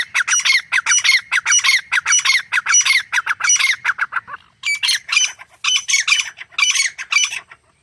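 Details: Wild Grey Francolin pair, male and female, in natural jungle habitat, giving a long run of harsh, squawky repeated notes, nearly two per second, briefly pausing mid-run before resuming in quicker grouped bursts.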